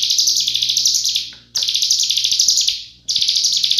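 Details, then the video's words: Cigun song in dense rapid-fire style, meant as a master recording for murai, kacer and cucak ijo: three bursts of high, fizzing rapid-pulse trill, each over a second long, separated by brief silences. "Masteran Full Nembak Rapat Burung CIGUN"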